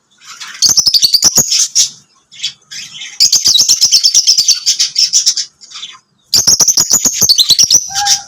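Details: Lovebirds singing and chirping: rapid, continuous bursts of shrill high twittering with fast repeated clicks, three long runs separated by brief pauses, plus a short lower whistle near the end.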